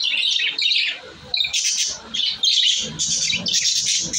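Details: Several pet budgerigars, said to be happy in a new cage, warble loudly in high chattering bursts with squeaky notes, broken by a short pause near the middle before the chatter resumes, denser and brighter.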